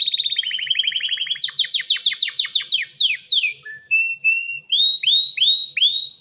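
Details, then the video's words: Breeding-ready male canary singing for a female: a fast stuttering roll of notes slides into repeated downward sweeps, then isolated flat whistles and several rising curved notes. "تغريد كناري ومناداة للتزواج"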